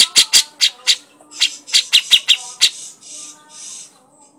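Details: Grey-cheeked bulbul giving its harsh crecetan chatter: a rapid run of about a dozen dry, rasping, broadband notes over roughly two and a half seconds, then softer, drawn-out hissing notes trailing away.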